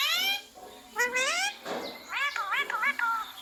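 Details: Rose-ringed parakeet repeating words such as "mummy" and "papa", heard as short gliding, speech-like syllables, then a quick series of bouncing, wavy notes near the end.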